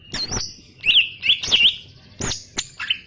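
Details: Short gacor phrase from a greater green leafbird: a few loud clear whistles with quick up-down inflections, separated by brief gaps and sharp chipping clicks.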